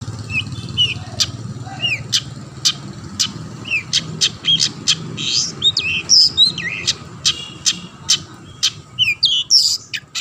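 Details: Long-tailed shrike singing in a lively way, used to prompt other shrikes to sing: quick, scattered chirps, short rising whistles and sharp clicks at high pitch, irregularly spaced, with a low steady hum beneath.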